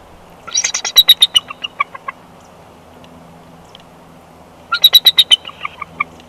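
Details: Bald eagles swapping incubation duty at a Big Bear Valley nest, March 2021, second clutch of eggs; two separate bursts of quick, high, descending chittering notes with a quiet gap between them.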